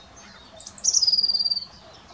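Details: A great crested grebe at Ammersee, recorded 30 April 2018, gives a high, thin note sliding down into a rapid, buzzy, pulsed trill that holds a steady pitch for about a second, against quiet surroundings.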